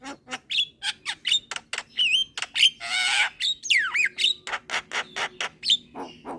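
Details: Juvenile Javan myna in full song, bobbing its head. Quick chattering clicks about two per second mixed with wavering whistles, a harsh buzzy rasp near the middle and a long downslurred whistle, all tightly packed.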